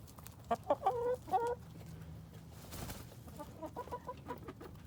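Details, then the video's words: Chickens at a Colorado Springs urban farm, some eating a pumpkin, give three or four loud short nasal clucks in quick succession, followed by fainter distant clucking. "Chickens Making Chicken Noises"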